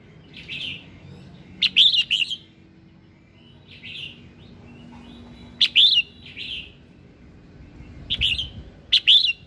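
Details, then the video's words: Red-whiskered bulbul singing in the morning, a recording meant to spur other birds into song: three groups of short, lively warbled phrases, each a quick cluster of rising and falling whistles, separated by pauses of several seconds. "Tiếng Kích Giọng Chào Mào Hót Sáng"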